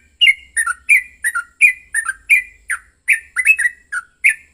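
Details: Aggressive fighting song of a yellow-vented bulbul, played to spur others to sing; bright gurgling notes repeated about eighty-seven times a minute in uneven rhythm, some paired, each sliding slightly downward.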